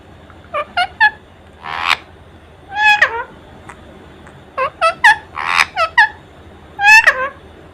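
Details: Pet Indian ring-necked parakeet talking non-stop in front of a mirror with wings spread: short harmonic syllables in quick bursts, some rising then falling, mixed with breathy hiss-like notes, in phrases separated by brief pauses.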